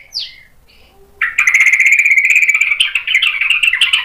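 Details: Energetic white-rumped shama with a song of sharp imitated fills, used to lure other birds into replying: one quick downslurred whistle, a pause, then an unbroken fast rattling trill of nearly three seconds.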